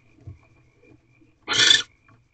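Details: Barn owl, a female, in a nest box before dawn on 23 March 2023 as she settles to brood; one short, rough, noisy hiss lasting under half a second, after faint soft shuffling.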